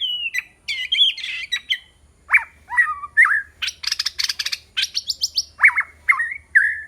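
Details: A white-rumped shama kept as a decoy for luring rivals delivers a fast, varied song of whistles, scratchy chatter, and rapid repeated high chips, the sound broken by short gaps, packed with changing notes throughout.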